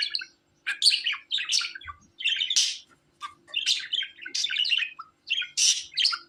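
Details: Pet budgerigar chattering: rapid bursts of bright, scratchy chirps and warbles, broken by short pauses, with no other clear sounds.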